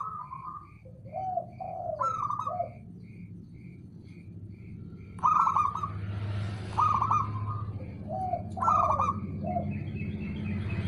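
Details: A male zebra dove, the local perkutut, calling repeatedly. Each phrase is a trilled note followed by lower gliding coos. Several phrases sound over a low rumbling background with faint high pips.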